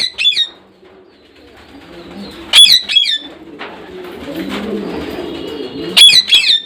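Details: Parrot squawks: clusters of two or three harsh, sharp calls at the start, middle and end, with soft low chatter in between.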